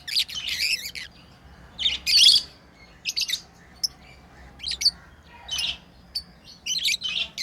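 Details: Tame lovebirds chirping while playing: short scratchy bursts of high, harsh chirps spaced about a second apart, with a louder squawky burst near the start and quiet gaps between.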